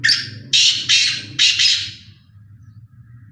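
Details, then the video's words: Loud rasping call of a black francolin: four harsh, scratchy notes in quick succession, the last two closer together, followed by a low background hum. "Black Teetar Voice, Partridge Voice"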